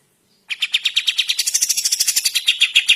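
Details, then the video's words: Sooty-headed bulbul singing vigorously in the morning, recorded as a tutor track for training birds: after a brief silence, a fast, steady run of sharp chattering notes, about seven per second, rising into thinner, higher notes. "Burung Kapas Tembak Gacor Masteran Pagi Hari"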